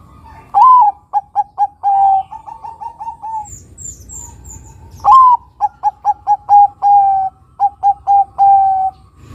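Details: Crossbred Bangkok-local zebra dove singing actively, with its long, strong voice used to trigger singing: two phrases of swooping coo, clipped notes and sustained endings, the second longer, with faint high chirps from another bird between.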